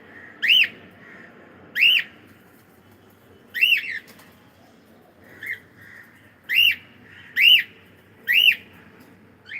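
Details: Cockatiel calling repeatedly: seven loud arched chirps, each rising then dropping, coming about once every second at uneven intervals, with softer shorter notes in the gaps.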